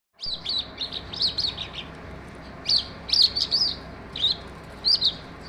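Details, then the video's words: Skylark singing: bursts of high, bright chirped notes in quick clusters, rising and falling sharply, with short pauses between groups and a faint steady background hiss. "Sky Lark bird is singing in full bloom."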